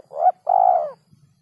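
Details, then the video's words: Spotted dove call used as a lure for catching birds: a short, soft coo followed after a brief gap by a longer, fuller, steady coo. The background is otherwise quiet. "SUARA PIKAT BURUNG TEKUKUR SUARA JERNIH"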